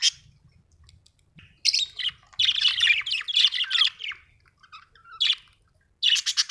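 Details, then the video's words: Budgerigar chirping with loud, harsh, squawky chatter delivered in dense bursts, broken by short pauses, and a final burst at the close. "budgie chirping sound"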